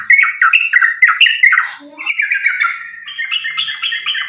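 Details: Fighting song of yellow-vented bulbuls, used as a lure to get other bulbuls singing. Rapid, scratchy chattering notes tumble in quick succession, a brief soft dip in the middle, then a higher, steady run of chirps.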